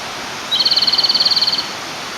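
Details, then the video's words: Japanese robin male singing by a clear stream, calling to a female: one rapid, level, high-pitched rattling trill lasting just over a second, with a constant rush of flowing water behind it. "清流の妖精 コマドリのさえずり"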